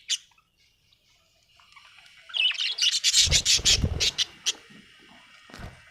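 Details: Happy budgerigar chirping builds from a lone note into a dense, rapid run of loud, clipped chirps repeated several times a second, with rustling and low bumps underneath, tailing off into scattered notes.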